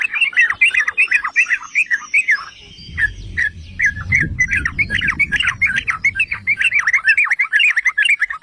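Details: Yellow-vented bulbul song used as a lure to set other bulbuls singing: dense, continuous bubbling chatter of rapid notes, with low rumbling noise in the middle.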